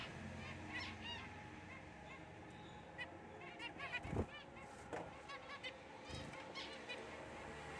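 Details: Black cheek jumbo zebra finch giving short nasal, honking notes with arched, ringing overtones. The notes are scattered irregularly and sometimes come in quick pairs, over a steady low hum and soft background noise.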